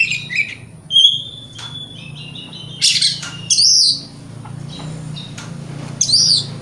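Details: An Oriental magpie-robin's energetic morning song, played to provoke rival birds to respond; clear level whistles and short chirps, then louder harsh buzzy bursts repeated irregularly, with a constant low background hum.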